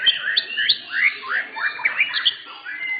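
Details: Blorok-type white-rumped shama singing in class competition at an Indonesian contest arena, where it won first place in session 7. Sweeping whistled notes and upward slurs follow each other rapidly, varied and continuous.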